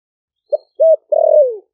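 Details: Caged spotted dove from Ninh Thuận, Vietnam, wild-caught four months before, singing the 'thổ sấm' voice to call wild doves in; a short note, a steady hollow coo and a long downward-slurring croo, the phrase cut before its close.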